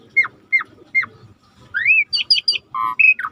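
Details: Rare starling singing in a training recording with river sounds: three falling whistled notes spaced evenly, then a rising slur, a cluster of high squeaky notes and buzzy tones, over a soft low water murmur.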